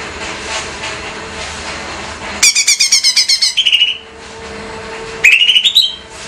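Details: Captive female greater green leafbird from Banyuwangi, used as a training lure: after a stretch of background rumble, a quick burst of high rattling notes ending in a whistle, then a short rising trill.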